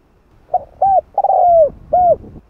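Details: Spotted dove giving its 'hạp bổi' coo, played to stir other doves. Two quick hoots lead into a long, drawn, gradually falling note, then one final short hoot.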